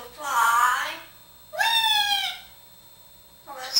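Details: Talkative male African grey parrot, a pet hatched in 1997 living in a home in Texas, talking about flying indoors: two clear speech-like utterances with rich harmonics, the second opening on a rising glide, then a third starting at the end.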